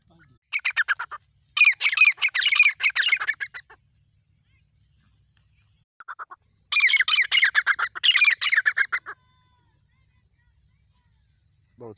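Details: Grey francolin (safed teetar) at Ranthambore National Park, giving two long bursts of rapid, grating notes separated by a quiet spell with one short fragment, each burst about three seconds of fast, harsh repeated calls.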